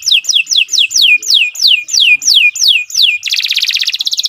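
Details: Captive canary song meant to teach other birds: about nine loud whistled notes each sweeping downward, repeated roughly three per second, then breaking into a dense buzzy trill.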